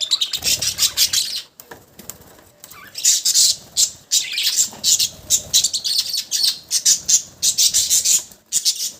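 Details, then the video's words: Budgerigars in nearly continuous high, squeaky chatter, with rapid pulsing chirps repeated about twice a second and a brief lull near the start. "Cute budgies sound"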